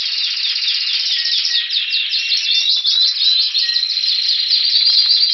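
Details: Spanish Timbrado canary, bred 2015, recorded February 2016 in Anavissos, Athens, Greece, awaiting spring; loud continuous high song of fast metallic trills and rolling repeated notes, with brief lower whistled tones, no other sounds.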